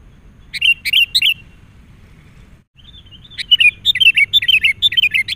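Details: Agitated wild sooty-headed bulbul responding to a decoy bird while being lured: a brief burst of three liquid whistled notes, a pause, then a rapid run of about ten chirpy, warbling notes, fast and irregular.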